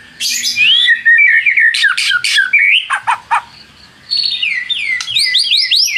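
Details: White-rumped shama (murai batu) song played to provoke rivals into answering: varied whistled and slurred phrases, sharp clipped notes, a brief quiet spell, then a run of quick, descending whistled notes.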